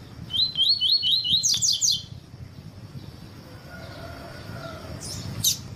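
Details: A double-collared seedeater (coleiro tui-tui) sings a song meant for training and warming up other birds: a quick run of about six bright, clipped notes, then a few higher ringing notes, then near-quiet with a faint final note.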